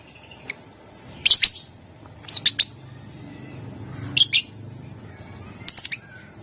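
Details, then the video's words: Lovebird sound meant to make other lovebirds sing: clusters of two or three harsh, high squeaky chirps every second or so over low background rumble. "Ampuh buat Burung LOVEBIRD ikutan Gacor, Dijamin Puass Sama suaranya"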